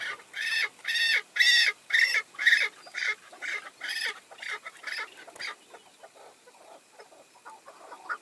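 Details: Tethered decoy chukar partridge calling as five males come in: loud, rich, harmonic chuck notes repeated about twice a second in a steady rhythm, then fading into softer, faster, broken notes during the last few seconds.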